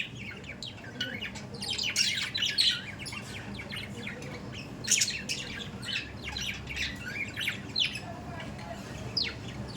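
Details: Pet budgerigars in continuous lively chatter: overlapping scratchy chirps, warbles and harsh squawks, loudest in bursts early on and again midway.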